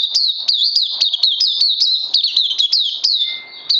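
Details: High, hurried chirps from a caged oriental white-eye in crazy LG style, 31 May 2020, second day on supplements: sliding tweets tumble out rapidly, with a thin steady tone briefly audible underneath.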